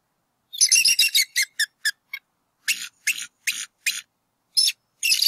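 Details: Bald eagles at a campus nest in northwest Georgia, April 2018, the parents calling as the male drives an intruder from the nest: a long run of sharp, shrill, piping chitters, fast at first, then spaced in pairs.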